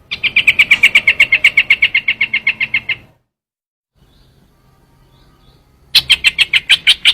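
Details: Trao trảo bird giving a long run of quick, sharp repeated notes lasting three seconds, then silence, then another dense burst of the same piercing chips.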